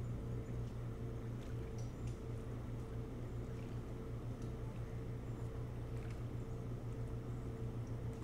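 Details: Steady electrical hum with a low rumble and a few faint ticks, recorded at an osprey nest camera before dawn; no animal voice stands out.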